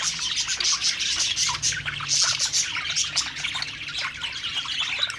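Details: Several budgerigars singing while feeding, a rapid babbling warble dotted with thin high whistles and chirps, steady from start to finish.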